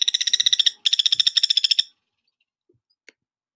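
A Ruddy Turnstone gives two quick, high chattering rattles of sharp, even notes, each lasting under a second, then falls silent apart from a faint click.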